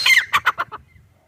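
Grey partridge giving a harsh, scratchy opening note followed by four quick clucking notes in under a second. No other sounds.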